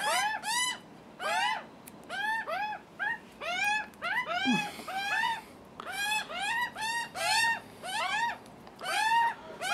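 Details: Continuous begging by hungry young Australian magpies: rapid, raspy, arched screams in quick pairs and runs, with barely a pause between calls, while the nervous father is nearby.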